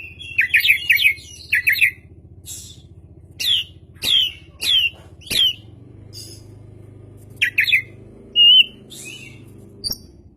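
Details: Oriental magpie-robin (kacer), a lively singing bird, gives quick trilled bursts followed by a series of loud, clear descending whistles about every half second, then a pause and further twittering phrases; low hum throughout.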